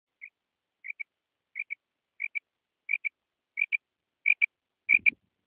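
A common quail gives short, sharp paired notes, about one pair every two-thirds of a second, growing steadily louder. A soft low thump comes at the end.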